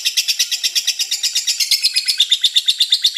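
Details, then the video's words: Lovebird giving its long ngekek chatter, a sustained bout of almost four minutes: rapid, high, harsh chirps repeated steadily about six times per second without pause, bright and rasping, in a quiet small room. "LOVEBIRD NGEKEK PANJANG HAMPIR 4 MENIT"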